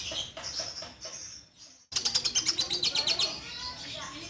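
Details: Female orange-bellied leafbird in captivity, a former breeding bird turned persistent singer. A few high chirps and a short pause, then a burst of rapid, sharp, rhythmic notes fading into softer warbling.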